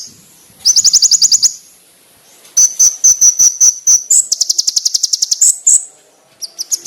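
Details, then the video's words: Konin bird master song for training: loud, rapid, high-pitched pulsed trills alternating with a run of thin whistled notes and short gaps, sharp and clear. "MASTERAN BURUNG KONIN ISIAN MEWAH FULL TEMBAKAN TAJAM NYARING JERNIH"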